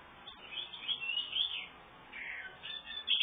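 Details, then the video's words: Red-headed male house finch feeding its nestlings, which give high, raspy begging chirps in rapid bursts that swell and fade. "house finch feeding babies"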